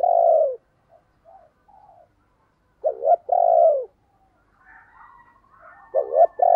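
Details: Spotted dove kept as a decoy to incite other doves. It opens with a long falling coo, then quiet soft notes. A double-note-and-long-coo phrase is repeated about three seconds later, with faint higher calls and another double note.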